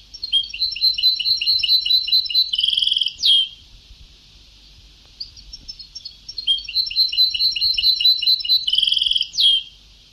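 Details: Old-tape Sebtaoui-style song of a European goldfinch: two long, rich twittering phrases of fast repeated high chirps and trills, each ending in a loud, sharp descending note, with a brief quiet gap between them.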